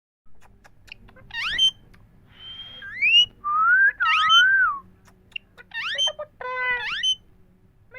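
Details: Indian parrots talking, repeating 'Mithu Miya Mithu': a string of clear whistled notes, some sharply rising with bright overtones, others long, level or wavering, separated by short pauses and faint clicks.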